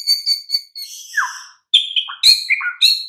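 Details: Varied White-rumped shama song from a master used to stir quiet birds: high thin whistles, a downslurred note, then quick mixed whistles and chips.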